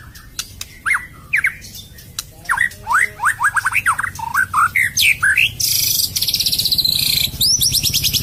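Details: White-rumped shama singing as a lure recording to stir lazy, stalled or post-molt shamas into song: a quick run of rising slurred whistles, several per second, then a harsh buzzy rattle and high scratchy notes at the end.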